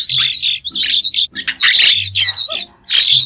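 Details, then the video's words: White-shouldered starling giving harsh, buzzy chattering song in three or four loud bursts separated by brief silences, recorded clean of background noise. "Tiếng chim Sáo đá trung quốc không tạp âm | White-shouldered Starling"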